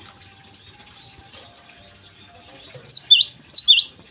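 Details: Java sparrow singing in the morning, used to prompt untrained birds to sing: faint soft chips early, then a loud closing run of six or seven clipped, high, bouncing notes.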